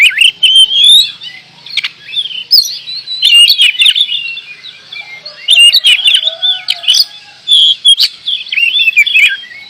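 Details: Oriental magpie-robin, called kacer in Indonesia, singing 'gacor': rapid, jumbled warbles and whistles in several long bursts separated by brief quieter gaps, with crackling harsh notes throughout.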